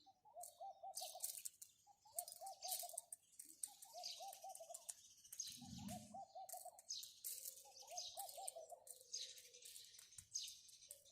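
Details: House sparrows chirping in a busy chorus of short, bright, overlapping notes, while a dove gives soft, low, rolling coos repeated every second or two.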